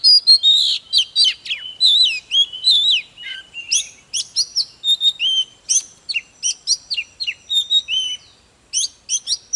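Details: Oriental magpie-robin singing hard, used to rouse other magpie-robins: a long, fast run of sweet whistles, twisting slurs and sharp chips, dense at first and then in quick clustered phrases with brief pauses.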